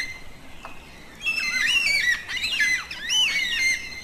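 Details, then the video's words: Yellow-tailed black cockatoo: after a second of quiet, drawn-out wailing calls begin, rich in harmonics. They slide up and down and overlap, in two bursts over a steady background hiss. "Canto de Pássaros - Cacatua Fúnebre (Um dos cantos mais bonitos)"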